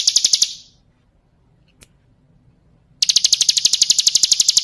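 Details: Female bar-winged prinia calling males, used as a lure to make wild birds answer: a fast run of sharp, high chipping notes, about four per second, breaks off, then a second rapid series starts after a short silence.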